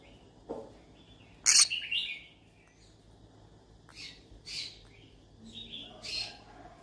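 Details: Yellow-sided conure calling as if looking for friends to talk to: one loud, harsh, buzzy squawk burst, then three shorter raspy chirps spaced about a second and a half apart, over a quiet background.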